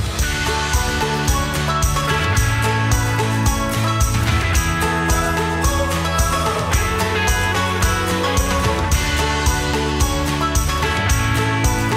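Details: Steady instrumental music with a strong bass beat and bright jingling percussion, with no animal voices.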